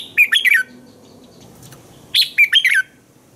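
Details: A red-whiskered bulbul sings in the morning as a training recording for other bulbuls, giving two lively phrases of three to four fluty notes, rising then falling, separated by a quiet gap of under two seconds.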